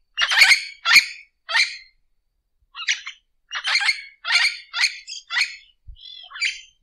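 Orange-winged amazon giving harsh, raspy squawks and screeches in an uneven series, about two a second, with brief pauses between bursts.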